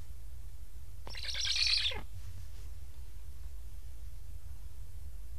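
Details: Hungry black stork chicks in a nest in Estonia, begging as stressed parents, wary of newly fitted transmitters, return but leave without feeding, give a single harsh, rapidly pulsed wheezing burst about a second long, falling at the end, over a low rumble.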